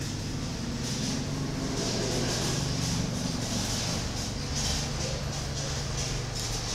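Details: Steady rumbling engine drone with low humming bands and a hiss, like a passing train or vehicle, and no animal call.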